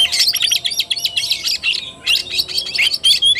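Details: Fighting-style song of an Oriental magpie-robin, called kacer tarung, 17 August 2021: a quick series of short, choppy chirps and chattering notes repeated in rapid pulses.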